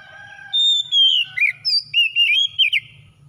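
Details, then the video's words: Oriental magpie-robin lure song to make a hard-to-start magpie-robin sing: a long high whistle gliding down into a rapid sequence of rolling, rising and falling whistled notes. "SEKALI PANCING KACER SUSAH BUNYI LANGSUNG ON IKUT GACOR"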